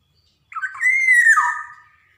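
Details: Lure song of a Javanese black-naped oriole, played to prompt young birds to sing: a harsh, broken lead-in, then a long, pure whistle that sweeps down to a lower, warm tone.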